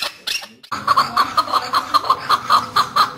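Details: Home-reared chukar partridge calling, a voice said to attract the opposite sex and used by hunters as a lure: a steady string of short, clipped notes, about three each second, following a brief noisy start.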